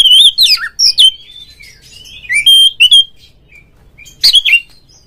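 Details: Oriental magpie-robin song in ngeplong style, used to prompt other magpie-robins to sing: quick slurred whistles and downward sweeps, a few clear held notes, a quiet pause, then a harsh broad burst.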